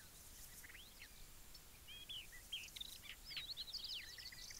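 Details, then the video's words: Yellow-breasted Bunting (Emberiza aureola), a species in steep decline, sings a quick series of clear, high whistled notes, some slurred up and down, growing busier toward the end against soft background hiss; song. "Как поет дубровник"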